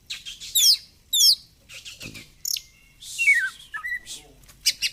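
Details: Oriental magpie-robin in 'gacor fighter' singing with 'ngobra' posture: hooked high chirps, a buzzy burst and a descending run of whistled notes, over a soft low background hum.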